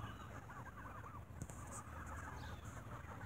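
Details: Evening bread feeding sets geese squabbling; a quick series of looping, curved honks repeats rapidly, with other birds chattering faintly and a low rumbling background.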